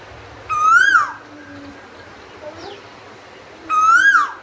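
An Asian koel gives two loud, clear whistled notes, each swooping up and slightly down, about three seconds apart, over a quiet background.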